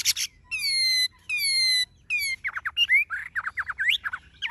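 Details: Song of a tame Chinese hwamei with golden-yellow bill, legs and plumage: long rich sustained whistled notes, then a fast run of short slurred whistles rising and falling in varied pitch.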